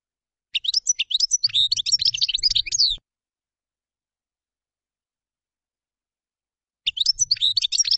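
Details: Common chaffinch song: a dense burst of rapid, high twittering notes lasting over two seconds, then silence, and a second burst starting near the end.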